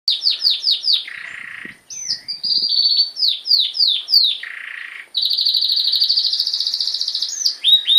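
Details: Pet canary singing a loud varied song: rapid descending swept notes repeated about four a second, a lower buzzy passage, then a long fast trill of evenly pulsed notes before more sweeps.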